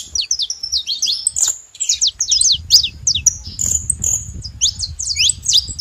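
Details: A group of saffron finches gives bright, high chirps and zipping downslurs in uneven bursts, with one sustained thin note in the middle, over a low rumbling background.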